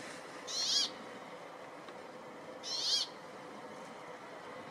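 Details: Brambling song in forest near Ruka, Finland: a harsh, buzzy wheeze given twice, about two seconds apart, over a steady soft background hiss.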